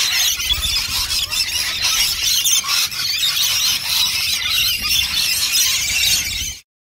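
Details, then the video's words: A flock of rainbow lorikeets feeding at lunchtime, quickly emptying two dishes of nectar: a dense, unbroken chorus of shrill screeches and chatter that runs almost seven seconds before cutting off abruptly. "Lorikeet LUNCH BUNCH!!!"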